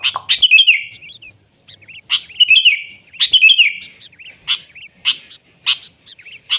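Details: Wild sooty-headed bulbul in lively 'gacor' song: bright downslurred chirp phrases roughly every second, some linked into short warbles, in a quiet setting.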